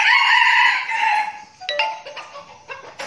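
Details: Captive decoy red junglefowl from a flock in Bình Phước, Vietnam, practising before going to the forest. One loud crow lasts about one and a half seconds, a harsh drawn-out note falling at the end. Soft clucks and rustling follow.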